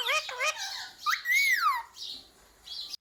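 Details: Pet rose-ringed parakeet, or ringneck parrot, that repeats words such as mummy, papa and mithu; a few quick voice-like syllables, then a long arching squeal that rises and falls, and a softer high note near the end.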